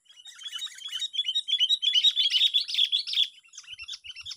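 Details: Sooty-headed bulbul heard during a bird-luring session on the sixth day: a dense, fast run of bright chattering chirps and short warbled notes for about three seconds, thinning to scattered chirps at the end.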